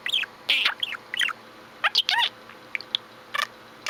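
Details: Chirping pet budgie: bright arched chirps and scratchy chattering bursts, irregularly spaced with brief quiet gaps.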